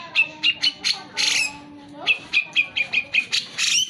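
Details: Grey-cheeked Bulbul singing persistently, played to coax reluctant birds into song: a rapid string of short, harsh, squawky notes, briefly broken by a long, low steady tone before the bursts resume.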